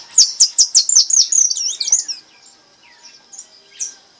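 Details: High tinkling song of a brown goldfinch in repique style: a rapid run of bright, sharply slurred notes for about two seconds, trailing into a few sparse high twitters.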